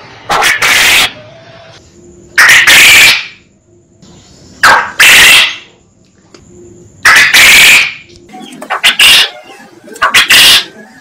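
A quail gives loud, harsh, buzzy bursts, often in pairs, about every two to three seconds. The recording is heavily overdriven.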